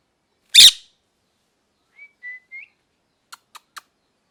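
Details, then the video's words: Parrot giving one loud, harsh squawk, then three soft, thin whistled chirps with the last rising slightly, and finally three quick, faint clicks. The background is quiet. "Parrot Chirping Sounds | Natural Parrot Sounds | Parrot Calling Sounds"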